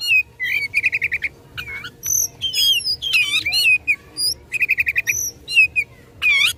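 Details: Oriental magpie-robin singing combatively to stir up rivals, a captive bird: quick stuttered note trains alternating with swooping whistles and harsh rasping bursts, very varied and energetic, over a faint background hum.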